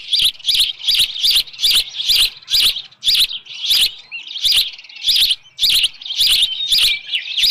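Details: Nesting osprey with a headless fish at Dunrovin Ranch, early evening of 10 June 2018, repeats loud, high whistled chirps in a steady fast rhythm, each note paired with a faint click.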